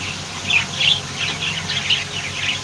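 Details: Breeding budgerigars chattering in quick, scratchy bursts of high twittering notes.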